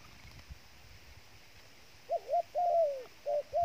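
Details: Dove kept as trapping bait: quiet background for two seconds, then a few soft coos, a short hooked note and a longer falling coo, repeated.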